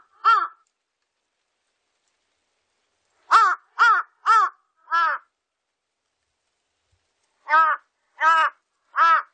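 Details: A single harsh caw, then a run of four, then three more, all from a large-billed crow, each call coarse and arched, spaced by silent pauses of about two seconds.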